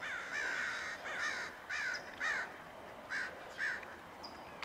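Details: Crows mobbing a red-tailed hawk perched in a palm tree on a Wednesday morning, 22 September, give harsh, rasping caws in a quick series, about two a second with short gaps, several birds calling over one another.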